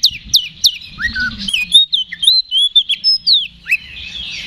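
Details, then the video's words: Oriental magpie-robin singing the loud ngeplong fighting song to provoke an answer. Three quick downslurred whistles, then a varied flow of clear rising and falling whistles and short slurred notes. "KACER GACOR NGEPLONG TARUNG !! PANCINGAN KACER PALING AMPUH BUAT MENAIKAN EMOSI KACER AUTO RESPON"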